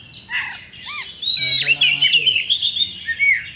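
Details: Oriental magpie-robin, a champion bird, in full song as a lure to provoke fighting: opens with a few low, curved whistles, then a loud, fast run of high chattering notes and whistled trills.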